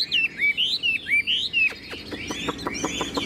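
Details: Caged hwamei gives a few clear, swooping whistled notes, then breaks into a series of fast, dry clicks and softer chattering sounds.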